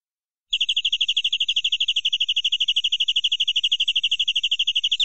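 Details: Local canary, said to be of original forest stock, singing a full-filler song in the ornate cengkok style: one steady, fast trill of identical high chirps, about twelve per second, running unbroken for nearly five seconds after a brief silence.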